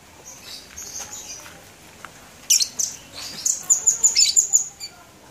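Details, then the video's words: Singing labet at Blokagung, Banyuwangi, in January 2018, giving soft high twitters followed by a quick string of about eight piercing, high-pitched notes. "Kicau Burung Labet"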